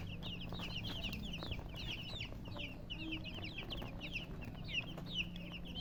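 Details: Baby chickens chirping: a busy stream of high, thin peeps, each a short downward-slurred whistle, several chicks overlapping almost continuously, over a steady low hum.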